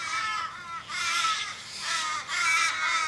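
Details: Australian ravens in a Sydney street on 1 July 2012, circling a fallen flock mate in distress. Two long, harsh, rising-then-falling wails fill the moment, voices layered over each other.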